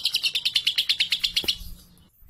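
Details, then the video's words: Lovebird said to hold its own singing against adults and to suit tutoring, giving a quick burst of about a dozen high chirps that stops abruptly, followed by near silence. "Lovebird 3.5 🌒 berani trek dengan dewasa dan Cocok buat masteran"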